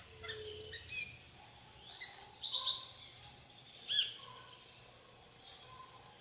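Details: Plain parakeets feeding on bananas alongside tanagers and other birds at the Rã-bugio private reserve in Guaramirim, Santa Catarina, Brazil: shrill, high, scratchy chattering calls in irregular bursts, with a few softer lower whistles.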